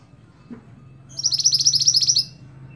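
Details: Scarlet-backed flowerpecker, its song used to tutor rolling, sharp-toned cage songbirds: one high, thin, fast trill of about a dozen ticking notes lasting about a second, after a soft thud.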